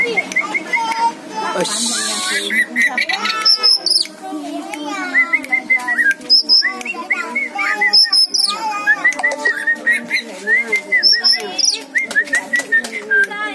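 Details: Oriental magpie-robin, said to be native to Aceh, singing a varied run of clear whistles, slurred notes and brief harsh bursts, phrases changing every second or so, with a musical or voice-like background underneath.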